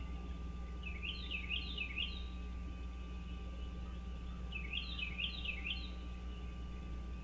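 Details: Wild American bald eagles at their nest on Dale Hollow Lake, a reservoir on the Kentucky-Tennessee state line, captured by a nest camera on 30 March 2023 at 06:09. Two bouts of rapid, high, squealing chitter notes rising and falling, over a steady low hum.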